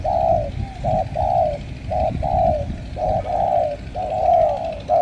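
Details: Cà Mau spotted dove in Vietnam cooing loudly: soft, rounded notes grouped into repeated two- and three-note phrases about a second apart, over a low background rumble.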